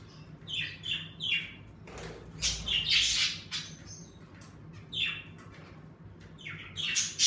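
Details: Indoor pet budgerigars chirp busily in quick runs of short downslurred notes, mixed with a wing flutter or rustle around the middle and louder squawks, over a steady low hum.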